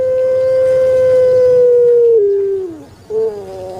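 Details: Long thick 'kwok' coo from a kept puter pelung turtle dove of Java, Indonesia: a steady deep hum held over two seconds, sliding down in steps, then a short closing coo.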